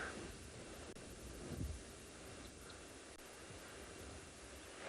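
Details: Quiet wind and low rumble during a morning safari in South Africa, with faint rustling and no animal voices.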